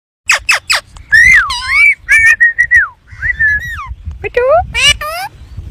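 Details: A talking Indian ringneck parakeet, whose phrases include "mian mithu churi khani", gives a few sharp rasping notes, then a run of clear whistled, speech-like phrases that swoop up and down, several short phrases over five seconds.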